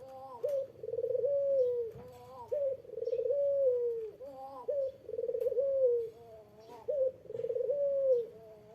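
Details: Eurasian collared dove cooing to draw an answer from a rival, giving about four repeated phrases roughly every two seconds. Each phrase is a low, quick lead note followed by a drawn-out, wavering coo that sinks at the end.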